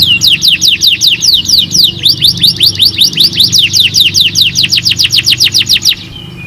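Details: Canary song played as therapy to prompt other canaries to sing quickly: a long run of loud, rapid descending whistled notes repeated about two or three per second, ending abruptly, with a low steady hum beneath.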